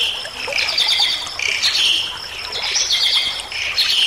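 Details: Bali myna in energetic song for teaching other cage birds: rapid, buzzy chattering phrases about once a second, loud and high, with squawky edges.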